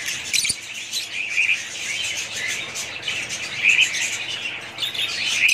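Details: Kept budgerigars chatter in overlapping high warbles and chirps, with a sharp click early on and brighter squeaky notes at intervals.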